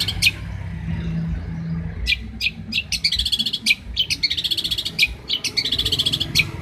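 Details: Champion long-tailed shrike from Banyuwangi, recorded for tutoring other shrikes: after two seconds of near silence with a low hum, loud sharp notes and scratchy chattering bursts follow in quick succession.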